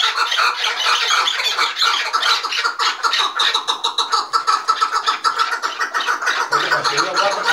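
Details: A quarrel among five chukar partridges: fast, evenly pulsed harsh chuk-chuk calls pile up into a steady chattering chorus, briefly thinning before a low hum enters near the end.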